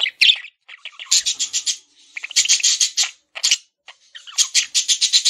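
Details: Male parakeet kept as a pet making high, buzzy chattering bursts, groups of rapid clicking notes repeated several times with brief pauses.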